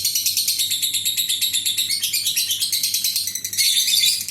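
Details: Lovebird in long ngekek, kept as a lure to draw other lovebirds into singing. The rapid, shrill, buzzy chatter pulses quickly and steadily, then grows louder and denser near the end.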